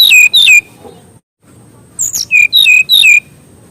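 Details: Mangrove whistler, kept for tutoring young birds: two loud falling whistles, a short silence, then a phrase of a sharp high note and three or four clear downward-slurred whistles.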